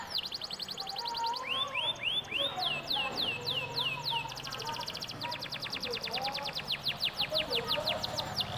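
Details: Domestic canary singing energetically as a lure for other canaries. Fast buzzing trills alternate with sweeping curved notes and long rapid rolls of repeated high notes over low background noise.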